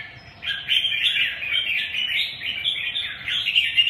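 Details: Red-whiskered bulbul in steady song: a lively run of quick, slurred chirping notes, warbled and tumbling without a break after a short quiet start, over a faint low hum.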